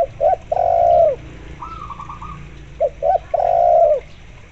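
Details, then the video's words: Spotted dove calling steadily, mixed with local zebra dove sound for luring. Two short-short-long coo phrases are given about three seconds apart, with a higher, quick, stuttered cooing run between them. "tekukur gacor di iringi suara perkutut lokal gacor untuk pancingan"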